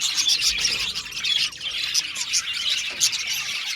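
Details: Budgerigars in an aviary colony chirping together, a dense continuous chatter of high, bright twittering notes with sharp chirps rising above the mass.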